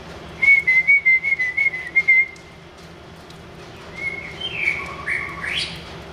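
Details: Wild white-rumped shama singing vigorously: about eight short, evenly spaced whistled notes at one pitch over two seconds, a pause, then softer varied whistles and a rising high flourish.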